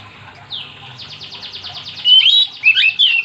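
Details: Oriental magpie-robin singing, meant to set other magpie-robins singing: a fast train of short high repeated notes, then loud twisting whistles near the end.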